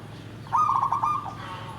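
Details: A single rolling, stuttering trilled coo phrase from a zebra dove, sung in the deep, dry nggandem gedhe garing style, over a faint low hum.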